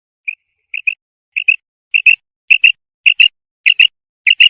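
A female common quail gives soft, high, clipped notes in quick pairs, a pair about every two-thirds of a second, growing louder against a quiet background.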